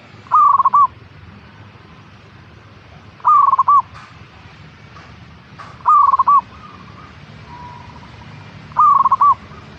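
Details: Local perkutut, the zebra dove, singing to spur a caged bird into song: four short burry, stuttering coo phrases spaced about three seconds apart, with faint softer notes between and steady low hiss.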